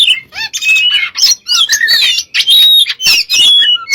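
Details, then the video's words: Energetic gacor song of an Oriental magpie-robin used as a lure: a dense, almost unbroken stream of varied whistles, twisting slurs and harsher chattering notes, loud throughout. "burung kacer gacor untuk pncingan"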